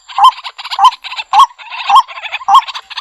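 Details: White-breasted waterhen, known locally as kuro-wakwak, played back through a Bluetooth speaker: loud croaking notes with a rising hook, repeated roughly every half second, backed by a harsh, rattling, layered chorus.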